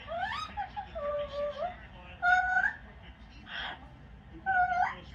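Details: Pet yellow-naped amazon on its perch during a football broadcast, giving a string of tonal, bending harmonic calls, some rising sharply, with a short breathy burst between them and steady room noise.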